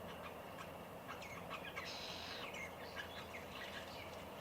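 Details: White-browed Babblers gathered at a bird bath in a country garden, Victoria, Australia, 1 November 2021; scattered squeaky chattering notes and brief chirps, several birds calling against a constant low hum.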